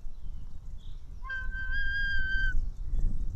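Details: White-tailed eagle chick begging as a parent delivers fish at an Estonian nest, 4 July 2018, 1:10 pm: one steady, flat whistled scream lasting over a second, set against constant low rumbling noise.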